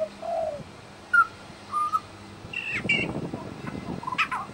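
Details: Australian Pied Butcherbird singing and imitating local sounds in suburban Brisbane: a few short, clean whistles followed by a louder cluster of doubled notes over a noisy suburban background.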